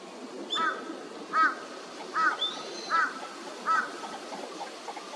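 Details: A Northern Shoveler, a winter visitor, at Junsai-ike green space in Chiba, Japan, in January 2024, gives five short, nasal, quack-like calls, one about every 0.8 seconds, over a steady background hiss with a faint thin whistle.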